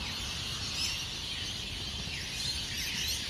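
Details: Hundreds of rainbow lorikeets roar from their roosts in tall Norfolk pines along Burleigh Heads Beach, Gold Coast, Queensland, Australia, before sunrise as they take off for the day. A dense, continuous wall of high shrill screeches.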